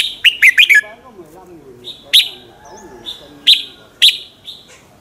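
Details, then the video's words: Red-whiskered bulbul singing in the morning, a lure song used to train and provoke other bulbuls to sing; a quick burst of three or four sharp slurred notes, then single loud descending chirps repeated about every second, with faint background chatter. "luyện giọng chào mào hót buổi sáng, Hót hay nhanh lửa"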